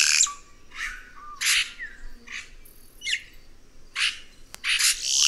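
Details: Song of a red-rumped cacique (Cacicus haemorrhous): loud harsh bursts alternate with liquid gurgling notes and short downslurred whistles, delivered in an irregular stream of about a dozen phrases with quiet gaps between.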